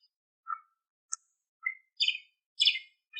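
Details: Asian pied starling, a kept songbird, giving sparse short chirps and whistles, some buzzy and rich in overtones, spaced by pauses over three seconds; used as a tutor recording for pet birds.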